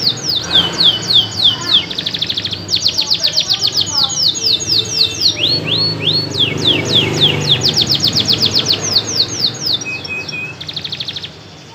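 A canary sings loudly and nonstop, rolling from one rapid, bright trill to the next, with sweeping high notes and fast repeated chips.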